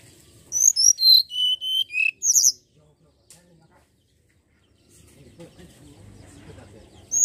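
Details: Common iora song for luring birds to sing: eight loud clear whistles descending step by step from very high pitch, ending in a high chattering note, then quiet background rustle.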